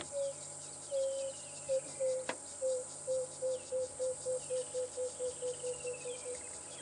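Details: A small emerald-spotted wood dove on a morning safari drive at Djuma and Arathusa, 24 December 2014, using its whole body to fill with air: about fifteen soft, low hooting coos quickening and shortening toward the end, over insect hiss and faint bird chirps.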